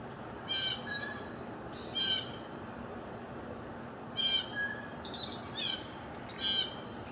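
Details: Blue jay giving five harsh, noisy calls, each short and rasping, spaced irregularly one to two seconds apart, over a steady high insect drone.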